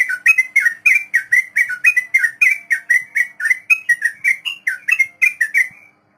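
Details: Sooty-headed bulbul in the long 'ropel' rapid song style, used as a tutor recording for untamed beginner birds: a fast run of about twenty bright, slurred whistled notes, roughly three to four per second, ending abruptly into silence.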